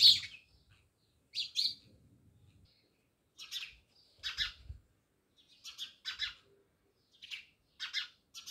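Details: Many house sparrows living near a village house in Jamnagar chirp in short bright bursts, spaced irregularly with brief silences between, a faint low rumble underneath early on.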